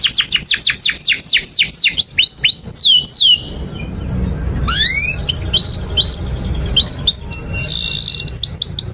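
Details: Canary song for teaching young canaries: a fast run of falling whistled notes for about three seconds, then scattered shorter chirps and whistles over a background of low rumbling noise.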